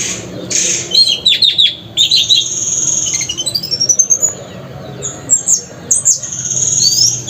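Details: A kept Orange-headed thrush sings a rich, varied run of high whistles, chattering notes and quick rising sweeps, phrase after phrase, over a faint background hiss.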